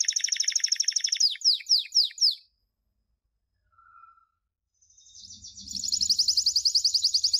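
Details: Canary champion song, used for training young chicks, recorded 2016: a rapid buzzy high trill, then a run of descending slurred notes, a short pause, and a fast rattling trill rising in loudness.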